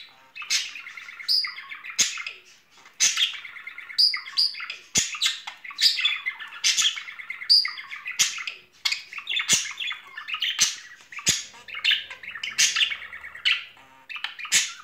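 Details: Budgerigars, a pair courting in spring, keep up long rhythmic chatter of buzzy squawks and chirps. Brief high whistled notes recur, and sharp clicks or taps sound every second or two.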